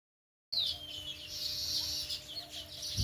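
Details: Sparrows chirping in a dense, continuous chorus of high, busy notes that start abruptly after a half-second of silence, with a faint steady hum underneath.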